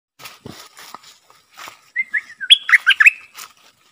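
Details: Bulbul kept as a decoy bird, singing a short burst of loud, warbled, whistled notes that rise and fall. Faint scattered chirps and soft clicks come before it.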